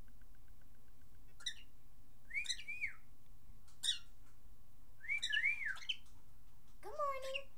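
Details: A pet male cockatiel, which says "good morning", "pretty bird" and "step up", gives short bursts of wavering whistled chatter ending in a throaty, speech-like phrase over a steady low hum, with a dog nearby.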